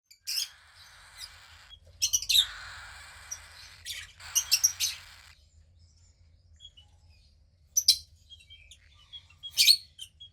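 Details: Captive female cockatiel chick about 15 days old, second of a pied pair's hatch, grey like her father; a few harsh, raspy broadband chirps and longer breathy hissing bursts, separated by quiet gaps, with a faint low hum behind.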